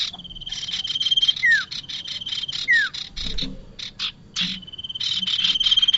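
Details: Bar-winged prinia call meant as a trapping lure: quick runs of dry chips alternate with two falling whistled slurs, while a continuous thin insect whine rises and fades behind.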